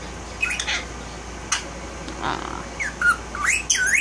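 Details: A male Indian ringneck parakeet talks in scratchy, breathy bursts, then a string of brighter harmonic syllables that bend up and down, ending in a loud, wavering, rising squawk.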